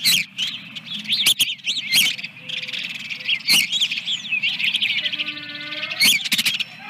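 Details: Osprey at its nest holding eggs, second egg laid, at Dunrovin Ranch on 24 April 2022 around 08:52; rapid series of high, thin, arched whistled chirps in uneven bursts, with sharp knocking clicks and a low background rumble.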